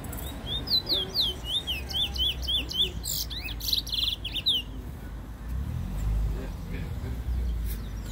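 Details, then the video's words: A black bullfinch, recorded in 2019, sings a fast run of high, chirped notes that swoop up and down for about four seconds, over a low rumbling background. "Black bullfinch singing"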